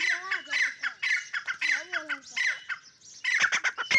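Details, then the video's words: Fighting dakni teetar partridges give rapid, grating squawks, repeated several times a second. Smooth, bending tonal notes sound beneath them, then a burst of sharp clicks at the end. "dakni teeter ki jung kia ho gia"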